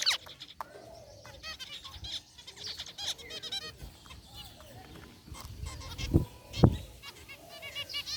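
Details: Aviary flock of zebra finches, gray and white varieties, one white bird rare: nasal, buzzy calls repeated about twice a second, overlapping chirps, with two loud low knocks near the end.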